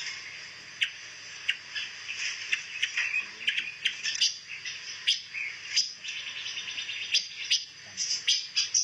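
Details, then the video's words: Pancawarna bird, a rare songbird used as song material for white-rumped shamas, giving a busy run of high, sharp chirps and short twittering notes, irregular and overlapping throughout. "SUARA BURUNG PANCAWARNA"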